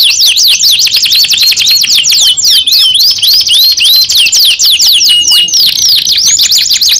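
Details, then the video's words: Young canary pouring out a continuous high song of quick repeated whistled loops and rapid trills, slightly varied in pitch. "KENARI PAUD BAKAL NYAUT 2 IN 1 | CANARY SINGING"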